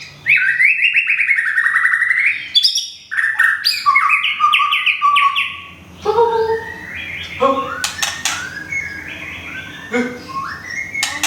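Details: Molting white-rumped shama, recently moved, from Thung Song in Thailand, pours out a long varied song of fluty slurred whistles and quick trills, then sharper clicks and lower notes, with faint background murmur.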